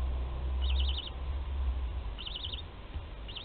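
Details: Webcam at a barn owl nest in Théding, 20 July 2020, where a 13-day-old chick gulps prey whole; three high, rapidly wavering chitter bursts about two seconds apart against low background rumble.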